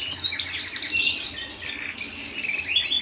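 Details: Canary singing at home, a continuous high twittering song of rapid trills, buzzy rolls and bright whistled notes packed closely together without pause.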